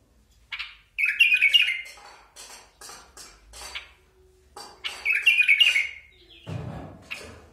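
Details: Basra bulbul repeating a bright, bubbling phrase of fast up-and-down warbled notes twice, about four seconds apart. Scattered short chirps fall between the phrases, and a low rumble comes at the end.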